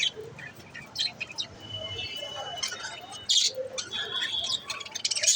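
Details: Budgerigars chirping, with scattered high squeaky chirps and brief warbled notes over a low background hum, growing busier and louder toward the end.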